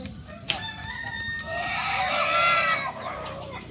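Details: Kukuak Balenggek chicken at a crowing practice meet staged like a real contest; one long drawn crow swells after a soft start and holds bright, slightly wavering tones before fading, amid background crowd noise.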